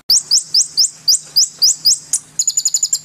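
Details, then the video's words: White-rumped shama, a lively, agitated singer used as a tutor recording. Sharp, high chirps rise quickly, repeat about four times a second, then break into a faster, buzzy run of clipped notes. "MASTERAN MURAI BATU GACOR ! LANGSUNG NYEMPLONG & EMOSI !!!"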